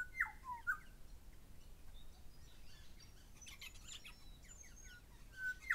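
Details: A pair of Grey shrike-thrushes calling. Two ringing, rising whistles open the clip and a matching whistle closes it. Between them, high buzzy chatter from Rainbow Lorikeets fills the middle.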